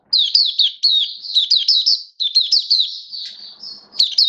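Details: Caged white-eye singing in build-up form, recorded 19 September 2022 for the bird hobby: fast chattering sequence of high slurred chirps in two bursts, ending in a drawn-out whistle and a final sharp note.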